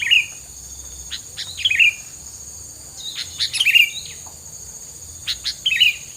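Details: Repeated bright chirp phrases, roughly three bursts in six seconds, mixed with clicking ticks and a continuous high hiss, used as filler song to deter rival birds.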